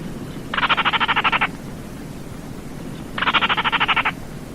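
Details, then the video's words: Two rattling calls of Baillon's crake, each a crisp, frog-like series of about twelve rapid pulses lasting a second, separated by a pause of under two seconds, over low rumble. "SUARA BURUNG RAWA TIKUSAN KERDIL"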